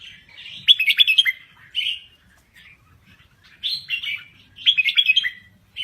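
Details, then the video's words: A Thai red-whiskered bulbul sings actively. It gives short bursts of bright, warbling notes that slur up and down, with quick chattering runs between brief pauses. The background is quiet. "Kicau Burung Merbah Jambul Gacor"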